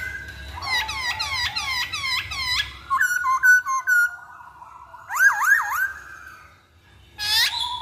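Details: Masked laughingthrush repeating about six sharp upswept whistles in a row, then level whistled notes and a pair of looping phrases after a short pause.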